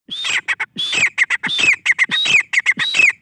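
Grey francolin giving loud, harsh, squealing triple-note phrases, each a rising then falling screech, repeated about every two-thirds of a second.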